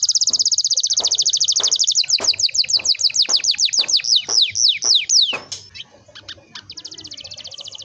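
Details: Canary in a long rolling song used to get young canaries singing: a fast high trill gradually slows into distinct descending notes, then a few sharp chips and a quieter trill, with soft clicks behind.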